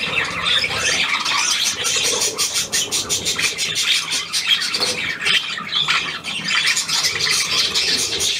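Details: Kept budgerigars chatter nonstop in high, buzzy chirps and sharp squawks, several birds overlapping, while their keeper talks softly to them in German.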